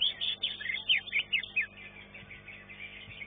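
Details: Contest-class greater green leafbird (cucak ijo) singing in a competition arena: a quick run of sharp, falling whistled notes, then softer, busier warbling toward the end.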